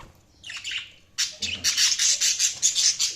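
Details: Pet budgies start with a soft warble, then break into a loud run of rapid, raspy chirps.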